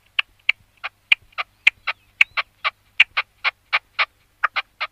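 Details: Red-legged partridge singing: a steady series of about nineteen harsh, clipped chuck notes, three to four per second, some in quick pairs, over a quiet background.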